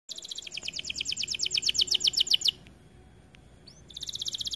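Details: White AF canary singing vigorously: a fast, bright trill of rapidly repeated high notes for about two and a half seconds, a short quiet gap, then the trill resumes.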